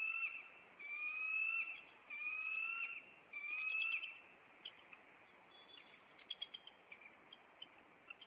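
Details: A Maine bald eagle nest pair confronts an intruder on April 26 while the male flies in and perches on a branch. Three long, rising whistled squeals come in steady succession, then scattered sharp clicking chips.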